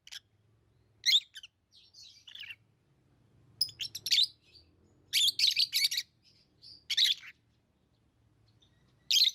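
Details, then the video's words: Tame lovebirds chirping: shrill, harsh bursts of chatter come in scattered clusters over nine seconds, with longer runs near the middle and a quiet low hum in the background between calls. "Love birds Sounds | lovebirds chirping sounds"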